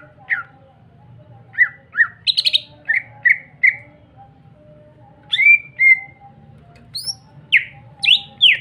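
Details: Greater green leafbird singing energetically, a recording used to stir other green leafbirds into song: scattered sharp whistled notes and slurs, some rising steeply and some falling, with short pauses between bursts over a faint steady low hum.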